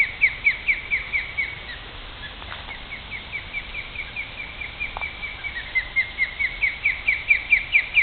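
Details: Ospreys guarding their nest in Great Neck, New York, calling at a person who came close: long bursts of shrill, clipped whistles repeated quickly, a brief quieter pause in the middle, then a rising, insistent run of chips; faint rustle.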